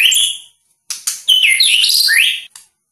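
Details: Medan-type white-rumped shama, a caged songbird, giving a short buzzy burst, then a lively phrase of looping whistles that ends in a rising-and-falling slur.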